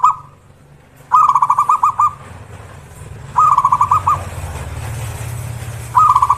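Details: Zebra dove calling every morning: a repeated phrase of a rising opening note and five or six quick staccato coos, given four times at intervals of one to three seconds over a low rumbling background.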